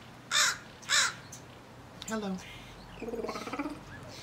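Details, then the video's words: Crow interacting with a person near an apple, giving two loud, harsh, broad caws about half a second apart, followed by a person's voice speaking and small high chirps in the background. "Crow Sounds - Further Crow Conversation"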